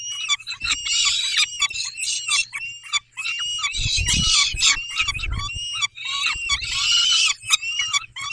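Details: Continuous chorus of grating, wailing peregrine falcon calls during feeding on 19 May 2021 at 11:48: overlapping harsh cries with short breaks, accompanied by soft thumps and rustling.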